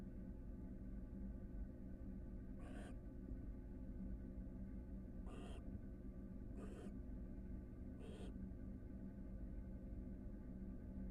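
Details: Barn owl pair preparing for a second brood at a Florida nest box, with the female inside and the male roosting nearby: four brief, raspy hissing screeches spaced a few seconds apart, faint beneath constant low-frequency noise.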